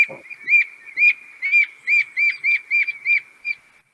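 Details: Canada Jay, the gray jay, with the call most often heard in Manitoba forests in winter: about eight quick hooked whistles in close succession over a steady high tone, starting with a short rough note.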